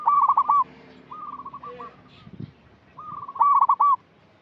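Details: Actively singing local zebra dove, a lure to encourage young untrained doves: a loud staccato run of mid-pitched coo notes, a softer drawn-out phrase, then another loud stuttering coo sequence, over faint hum and a brief rustle.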